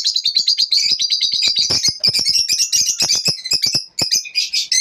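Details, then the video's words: High-pitched lovebird twittering at dawn, rapid chirps mixed with sharp squeaky notes and clicks, nearly nonstop for five seconds with one short break. "lovebirds morning 🌅 natural sound"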